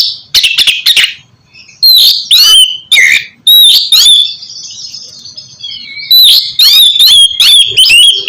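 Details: Oriental magpie-robin singing, meant to stimulate a quiet bird to sing: choppy harsh bursts and clear slurred whistles, a softer sustained warble mid-clip, then quick repeated whistled notes.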